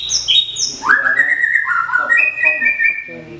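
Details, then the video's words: Caged white-rumped shama that won first place at a singing contest, shown in a bowing performance style; opens with two quick high chirps, then loud sustained whistled notes that dip and climb again, with faint murmuring behind. "AUTO MELELEH LIAT PENAMPILAN MURAI BIMA SAKTI"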